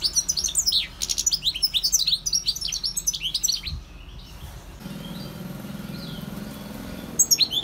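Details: European goldfinch singing rapid, liquid twittering phrases of sharp chirps and buzzy trills for about four seconds, then a pause filled with low rumbling background noise before the bright twitter resumes briefly at the end.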